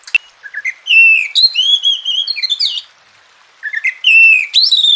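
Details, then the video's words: Oriental magpie-robin (kacer) in captivity, sung for training quiet birds to become vocal; a click, then a long varied whistled phrase of rising and gliding notes, a pause, and another rising phrase begins. "Masteran dan Terapi Kacer Malas Bunyi Jadi Gacor"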